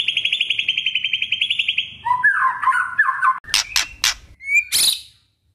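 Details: Oriental magpie-robin singing a rapid buzzy trill that breaks into lower scratchy chatter, then a few loud, sharp click-like notes and a brief rising whistle before falling silent.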